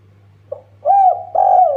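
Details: Spotted dove lure call to make other birds sing: a soft short note followed by two long, smooth, deep coos over a low hum.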